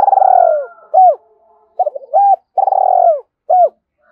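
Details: Spotted dove calling to stimulate a decoy bird: low, mellow cooing, a long vibrating rolled coo followed by short rounded hoots, repeated in a rhythmic phrase, clear and close with a quiet background.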